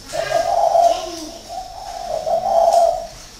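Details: Seasoned caged spotted dove decoy from Ba Vi, northern Vietnam, recorded in 2019, giving two low mellow cooing phrases, each a run of soft rounded notes with a brief gap between.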